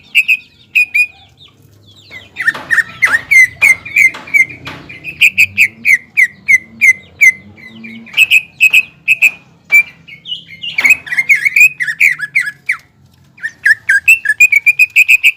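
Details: Caged greater green leafbird in full song, used to provoke a rival into a heightened breeding state: clear whistled notes near one pitch, in bursts of quick repeated phrases with short pauses, plus a few sharp clicks.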